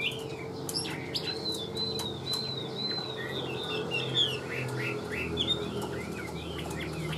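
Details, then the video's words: Caged Chinese hwamei, tame, giving a steady series of thin high whistles and short slurred notes against a constant low hum and occasional clicks. "Siêu mỏ ra giọng rất đều - Họa mi đẹp hót hay"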